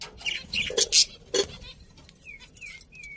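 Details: Budgies giving a few loud harsh squawks, then three clear downward-sliding whistles repeated near the end.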